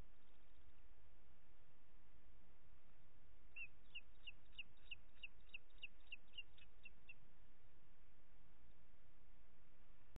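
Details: At a booted eagle nest in Catalonia's Ports Natural Park, evening of 25 June 2021, mother feeding two young: after a quiet start, a rapid string of roughly eleven high, sharp whistled notes, with constant low background rumble.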